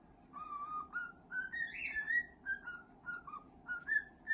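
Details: Contented pet cockatiel, a male, whistling during a scratching session, short wavering notes stepping up and down in a continuous melodic line, with one louder, brighter note near the middle, over room hum.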